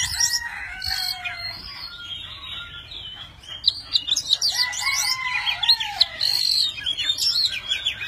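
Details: Tame Oriental magpie-robin in display, fanning its tail and wings while it sings. Low clear whistles and drawn-out slurred notes lead into dense, jumbled high twittering, with loud bursts near the end.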